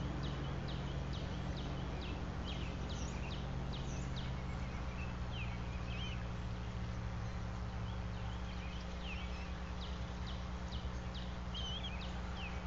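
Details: Bald eagle of a nesting pair at a nest about 100 feet up a sycamore in Bluff City, Tennessee, live nest camera, 22 March 2024 at 08:19; bursts of thin, high, descending chittering notes in quick series over a steady low hum.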